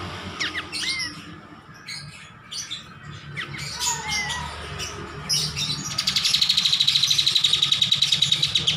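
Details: Master recording of a kapas tembak bulbul. Varied chirps and curving whistled notes for several seconds, then a fast steady buzzing trill of evenly spaced pulses running to the end.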